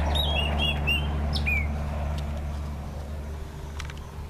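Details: A chopi blackbird singing at a ranch in the Cerrado of Mato Grosso, Brazil, gives rich, liquid whistles: several quick, slurred notes in the first second and a half, then falling notes, over a steady low rumble.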